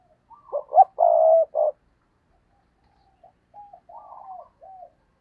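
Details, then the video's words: Decoy spotted dove cooing to lure wild doves: a short soft lead-in, then loud, low, hoarse coos with one long drawn note, followed after a pause by a quieter, wavering coo phrase. "Tiếng Chim Cu Mồi Thúc Gù/ chim cu gáy kích bổi/ mở là gáy"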